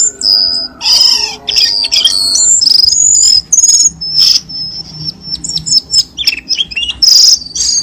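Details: Cucak keling lure recording meant to prompt caged birds into singing: rapid, varied, high whistled phrases and chirps, some sliding and warbled, tumbling in quick bursts with brief pauses throughout.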